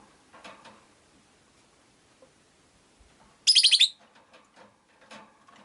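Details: Rosy-faced lovebird, one of five caged by a window, giving a single harsh, buzzy chirp of about half a second made of rapid pulses, with soft clicks and faint street noise before and after.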